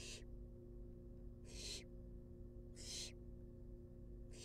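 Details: Begging of wild baby barn owls being fed inside a nest box: broad rasping hisses, about 47 per minute at an uneven pace, each a short noisy burst, with a constant low droning hum beneath.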